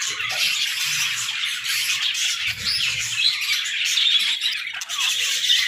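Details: Playful aviary budgerigars chatter loudly, with scratchy squawks and thin whistled notes mixed into a continuous twittering chorus.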